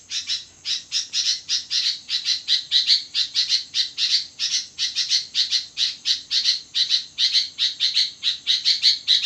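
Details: At midnight, a sooty-headed bulbul sings hard and fast: a dense run of harsh, squawky high notes, about two to three each second, continuing without pause over a quiet background.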